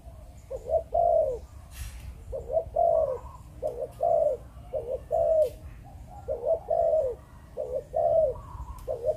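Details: Breeding spotted dove of Malaysian stock, cooing in the Vietnamese 'chụp chụp ô' style: low, hollow phrases repeated steadily, each two brief notes leading into a longer slurred coo, with occasional faint clicks in the background.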